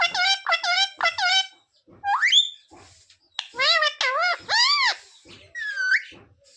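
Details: Parrot talking, trained to say sita-ram, jai shree ram and mummy papa: quick runs of short nasal syllables, an upward-sliding squeal, then wavering word-like calls and a final rising note.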